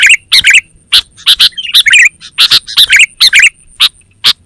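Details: Sooty-headed bulbul in lively voice, a call for luring forest birds and a master song for home birds: quick, uneven series of bright chirps, about two per second, with liquid warbled bits mixed in.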